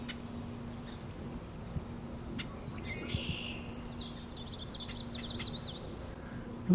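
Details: A Marsh Wren by its nest in a cattail pond wetland at Taquanyah Conservation Area near Cayuga, Ontario, scolding an observer, gives two bursts of rapid, dry, buzzy, high rattling chatter over a low hum.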